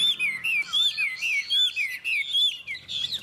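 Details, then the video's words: Chinese hwamei in a singing contest between two birds, neither yet owned: loud, rich whistled phrases sliding up and down, slurred notes repeated in quick bursts with brief pauses. "Họa mi hót đấu"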